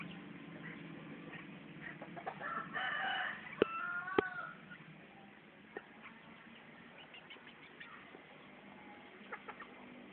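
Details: Junglefowl from Riau, Rokan Hulu, Indonesia, described as original wild stock: a loud, harmonic, hoarse crow in the middle, followed by two sharp clicks, over steady low background hum and scattered faint ticks.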